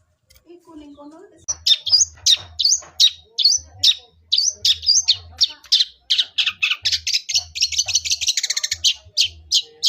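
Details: Long-tailed shrike singing a fighting-style song that mimics sparrow chirps: dense bursts of sharp, high twittering notes, fast and rhythmic, quickening into rapid chattering trills toward the end, over a faint low hum.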